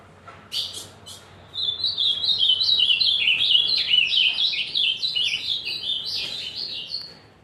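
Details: Azulão singing hard. A few scattered chirps lead into a long, unbroken warble of quick, slurred notes from about a second and a half onward.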